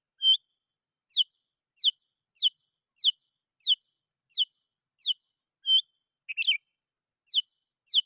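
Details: Sooty-headed bulbul calling rivals, a recording used to lure wild bulbuls: short, clear downslurred high notes repeated roughly every 0.6 seconds, broken once by a brief warbled phrase, against a silent background.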